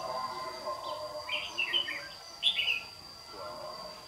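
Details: Decoy Red-whiskered bulbul of the white-cheeked type duelling at dawn during trapping, Đồng Nai, Vietnam, June 2019; two bursts of quick chirpy whistled notes, with a man's voice faintly underneath and a constant high hum.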